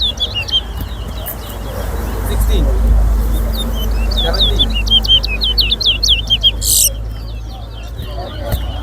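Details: Towa towa, a caged bird in a singing race at an annual bird singing competition at Better Hope, two birds set against each other: rapid high chipping notes in quick runs, a man counting aloud and a steady low rumble behind.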